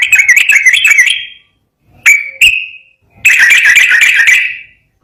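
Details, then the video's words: Yellow-vented bulbul, locally trucukan, in lively gacor ropel garuda song: a rolling warbled phrase, two brief whistled notes after a gap, then a long bubbly phrase fading out. "SUARA BURUNG TRUCUKAN GACOR ROPEL GARUDA JERNIH"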